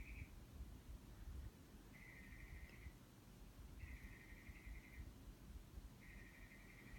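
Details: Bird heard outside a window producing many different noises: drawn-out, even, high trills, each lasting about a second and repeating every two seconds, against a low, muffled background hum.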